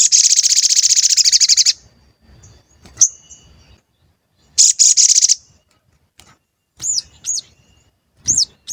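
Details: Lure song of a sooty-headed bulbul, used to rouse wild or kept bulbuls: a fast high rattling trill nearly two seconds long, a shorter buzzy burst later, then separate looping whistled chirps.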